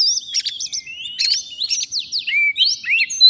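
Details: Oriental magpie-robin of the forest, singing hard at a fighter decoy while trapping, mixes stuttering repeated clicks with smooth sweeping whistles that rise and fall.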